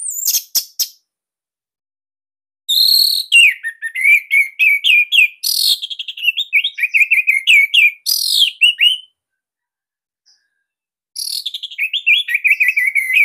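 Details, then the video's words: Orange-headed thrush, Bali type, whose song serves as a master for training young or silent captive thrushes and is called unique, tight and loud. Rich varied phrases come in bursts separated by pauses, mixing high sharp notes with fast descending whistled runs and twittering sequences. "Kicauan ANIS MERAH"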